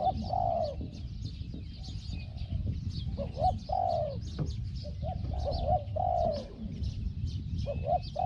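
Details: Spotted dove with a small 'hong hong' voice, used as a decoy to draw in a wild bird, repeating hollow coos in short groups, a clipped note then a longer drawn one, with low background rumble and high insect-like chatter.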